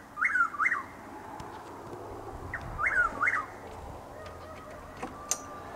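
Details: Chuck-will's-widow at about 6:20 am in Lake Placid, Florida, light rain and overcast: two swooping three-part whistled phrases, then quiet with a few faint clicks and a distant higher note.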